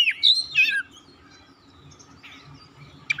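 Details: Oriental magpie-robin (kacer) song, used to call and stimulate a silent bird into full singing: a short burst of loud, twisting whistled notes in the first second, then near quiet with one sharp note at the end.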